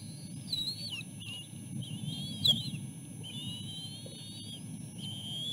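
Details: Bald eagle eaglets at the nest during a feeding by their mother: soft, high wavering whistles and drawn-out rising squeals, quieter and sparser, over low rumbling background.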